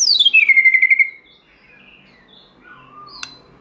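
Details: Wild-style song from a white-rumped shama, uncut recording for training shamas: one loud, pure whistle dropping steeply from very high and levelling into a fluttering tone, followed by soft quiet notes and a sharp tick.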